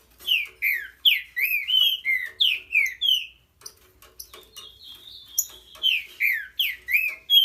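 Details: Green-winged saltator in full song: loud whistled phrases of slurred, descending notes delivered in quick succession, a short pause at 3.5 seconds, then a softer sustained strand followed by more bright, falling whistles.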